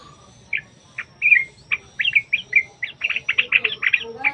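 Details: Yellow-vented bulbul singing a rapid 'ropel' song used to lure other bulbuls: a string of quick chattering, warbled notes speeding up, with faint insect hum behind.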